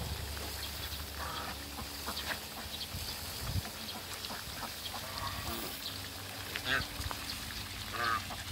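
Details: Muscovy ducks, two couples meeting on a farm of waterbirds: scattered short rasping calls and soft hissing notes over a noisy background with low rumble and occasional knocks.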